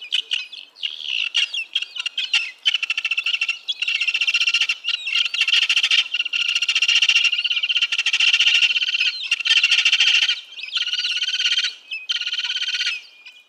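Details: Vulturine guineafowl give harsh, clattering, metallic chatter in long bursts of a second or two with short pauses, sounding like several birds at once.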